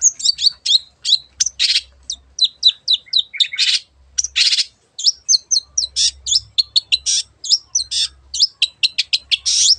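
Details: Long-tailed shrike singing energetically, used to stir birds into song: a long, rapid stream of sharp chips, whistled slurs and buzzy bursts delivered almost without a break, loud and varied throughout.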